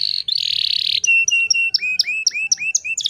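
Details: A female canary in heat sings to provoke males into singing. She opens with a rattling buzzy trill, then gives steady whistled notes and a run of repeated upward-hooked chirps, about four per second.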